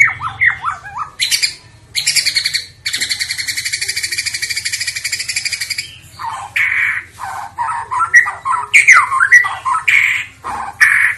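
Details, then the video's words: Fighter-type white-rumped shama in fighting style: varied whistled phrases, a long harsh buzzing rattle, then rich fluty whistles and chirps, over a low steady hum. "Murai batu super tipe FIGHTER"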